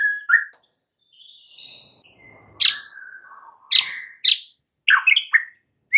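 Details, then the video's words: White-rumped shama singing in the morning: sparse sliding whistles, interrupted by sharp, sudden high notes and quick chirps. "COBA 1 MENIT SAJA, mUrai MACET jadi NYAUT GACOR di PAGI HARI"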